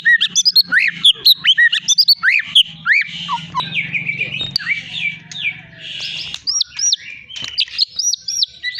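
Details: Long-tailed Medan white-rumped shama, a caged contest champion, sings quick upswept whistles and chattering notes, then a softer warbled passage and clear arched whistles repeated near the end, over a low background hum.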